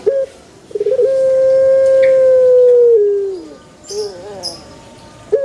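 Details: Pelung chicken crowing: one long, steady, clear note held for about two and a half seconds that sags and falls at the end, then softer broken notes and the start of a new crow.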